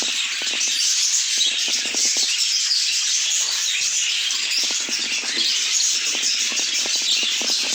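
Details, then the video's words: Many budgerigars warbling and chirping nonstop in a bright high chorus, accompanied by a steady scatter of sharp ticking clicks. "A Symphony of Budgies"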